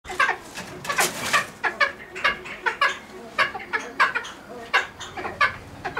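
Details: Cheer pheasant (Catreus wallichii), captive at a pheasant breeding farm, giving harsh clucking notes in quick bursts, about two to three per second, with a louder cluster near the start and steady repetition after.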